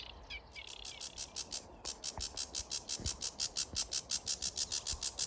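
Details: Sedge warblers, freshly arrived migrants, singing at dawn in May in the reed beds of Grove Ferry and Stodmarsh National Nature Reserve, Kent: a fast, steady run of dry, scratchy high notes after a brief varied opening, faint low rumbles beneath.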